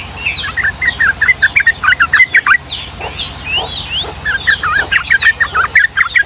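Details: Lively yellow-vented bulbul, long ropel song of the Ngombak Banyu style: dense, bubbly chattering phrases with a brief pause midway, overlaid by descending and rising whistles from other birds.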